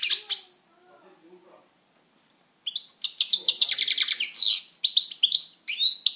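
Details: Singing pet European goldfinch: one short twittered note, a two-second pause, then a sustained, busy stream of high tinkling chirps mixed with buzzy, slurred notes.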